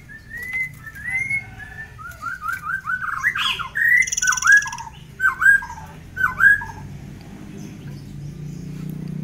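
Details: {'caption': 'Tame forktail, used as a master song, delivering ngitir-style song: a string of short rising whistles, then loud downslurred whistled notes repeated about once a second, with a brief high buzz.'}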